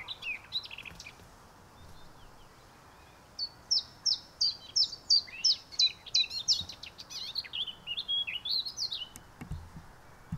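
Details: A Eurasian Blackcap sings a quick, high warbling phrase of clear notes that tumble and repeat several times a second, over a soft background hiss; recorded in the Alblasserwaard, Netherlands, 18 December 2021.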